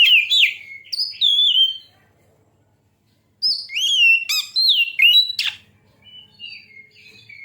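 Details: Oriental magpie-robin song meant to provoke other birds into singing: clear looping whistles and sharp chirps, a silent gap of over a second, then a renewed burst of varied whistled notes fading into soft warbles.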